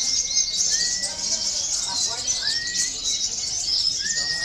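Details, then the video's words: Local konin sunbird in action, its high, dense, unbroken chattering warble running through the whole stretch, with several clear whistled notes sliding upward from lower down, heard as material for training contest birds. "KONIN LOKAL BERAKSI || bisa juga buat terapi lomba"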